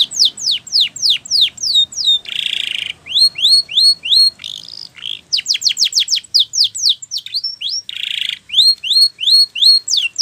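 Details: Spanish Timbrado canary training song: loud series of descending whistled sweeps, rising upslurred notes, and buzzy rattling trills in quick sequences, changing phrase every second or so, all high-pitched and clear.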